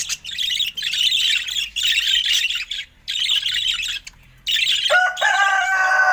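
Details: Pulsing blocks of bright, rapid budgerigar chirping, described as happy, broken by short gaps and ending with a clear, harmonic, whistled note.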